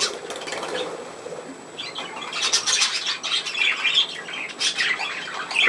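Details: Pet budgerigar playing indoors, 27 August 2024: soft start, then a dense stretch of scratchy warbling and squeaky chatter with sharp high notes mixed in.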